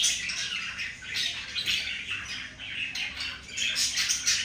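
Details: A pair of pet budgerigars during mating; rapid raspy squawks and warbled chirps run without pause, bursts swelling and fading every half second or so.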